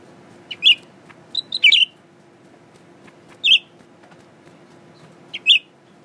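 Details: Pet male Blue-winged Leafbird in a cage, singing at its mirror image: sharp, sweet chirps come in a loose series, including a quick doubled phrase, with pauses of one to two seconds and a low steady hum behind.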